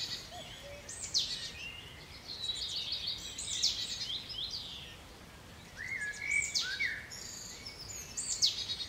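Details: Eurasian blue tits recorded on 6 June 2021, giving a busy series of high, thin, descending notes and scratchy chatter, with a lower, slurred, rising-falling note near the end, over steady background hiss.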